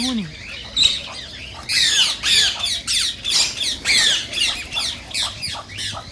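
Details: Indian rose-ringed parakeet calling to spur mating and song: a steady series of harsh, screechy squawks about every half second, with a short low squeak at the start.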